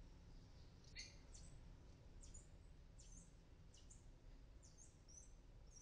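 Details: Newly hatched palm tanagers on their first flights from a 9th-floor apartment in Medellín, Colombia: thin, high chips and short sharp notes at uneven intervals, several a second at times, over steady low background rumble.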